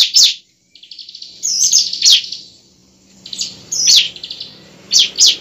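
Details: Bar-winged prinia fighting song to prompt singing: sharp high chips and short buzzy trill bursts arriving in irregular clusters every second or so, faint low hum behind.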